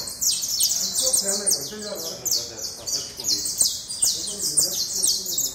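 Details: Saffron finch, called canario da terra, singing with rapid repeated high notes sweeping down, dense and overlapping as if several birds call together, faint low murmur underneath.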